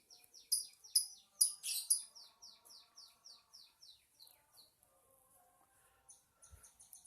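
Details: A caged lovebird gives a few loud scratchy chirps, then a steady series of thin, descending squeaky notes repeated about twice a second that gradually fade, with one faint thump near the end.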